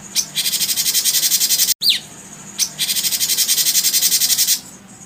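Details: Rapid, harsh rolling trill from a cucak cungkok, two sustained bursts of fast pulsed notes about two seconds each, separated by a short clipped break with a brief falling whistle.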